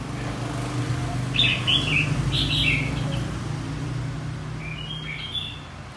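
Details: Red-whiskered bulbul singing-contest song, used in training white-cheeked birds: a run of bright slurred whistled notes in the middle, with weaker phrases near the end, over a steady low hum.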